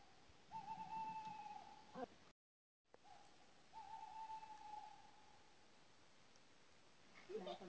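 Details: A male tawny owl (Strix aluco) gives its territorial call at Tetov: two long, wavering hoots, each held for over a second, with a short silent break between them and faint rustling at the end.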